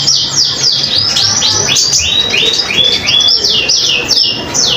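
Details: Common iora singing energetically, used as a master song for training other songbirds: a steady run of high, downward-swept whistled notes, roughly three a second, with faint low hum beneath.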